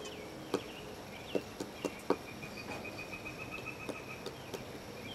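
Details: A pileated woodpecker digging into an old stump on Watchung Mountain, Bridgewater, New Jersey, makes sharp, uneven knocks, about eight in five seconds, some in quick pairs, over a thin, steady high whine.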